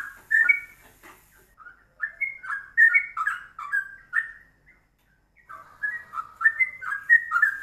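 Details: Yellow-vented bulbul song used for songbird training: bursts of clear whistled and chirpy notes in quick uneven phrases, a brief silence midway, then another lively run of fluty notes.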